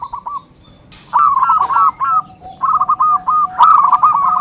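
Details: Zebra dove song meant for training and luring: after a faint opening coo, two bright rolling phrases of rapid repeated notes with a lower coo underneath.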